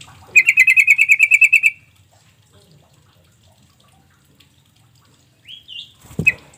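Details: Sooty-headed bulbul call used as a lure so that quiet birds answer. A rapid, even trill of about a dozen bright notes lasts over a second. A brief rising whistle and a thump follow after a long silence.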